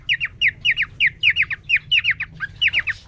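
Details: Male cockatiel in a cage courting a female just placed with him after three days alone: quick paired whistled notes, each sliding downward, repeated in an even pulsing run, almost three pairs a second.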